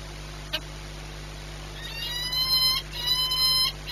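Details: Ringed Peregrine falcon 8BS, Orlen Płock, 22 March 2021, 14:39. A faint click, then two long rasping wails back to back, each close to a second, slightly upslurred and rich in overtones, over a constant background hum.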